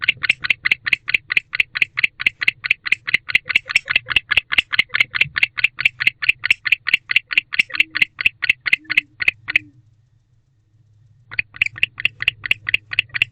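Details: Barn owl male calling to his mate from a nest box at 10:37 pm in late October: steady, fast run of raspy, clicking notes, roughly two per second, breaking off for about two seconds before resuming.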